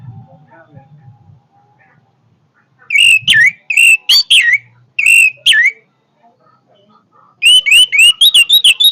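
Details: Orange-headed thrush singing forcefully in short bursts of looping, slurred whistles with sharp accents, separated by pauses; a soft low hum is heard near the start, then a final fast series of rising and falling whistles.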